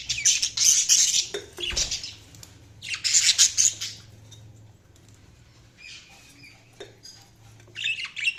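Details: Budgerigars chirping in bursts of harsh, scratchy high chatter, two loud spells in the first four seconds, then quieter scattered chirps and a final burst near the end; low steady hum underneath.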